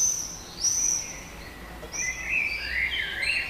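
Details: Common swifts at a breeding colony in Heverlee, Leuven, Belgium, 22:30 on 20 June 2018, with banging and breeding birds active: short shrill screams in bursts, a lower rasping scream near the end, over background noise.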